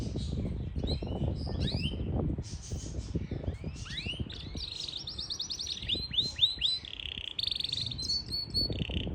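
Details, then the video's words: Yorkshire canary from Parachinar singing a varied run of high descending sweeps, rapid trills and short chirps, with steady low rumbling background noise throughout. "Yarkshiere Canary Singing"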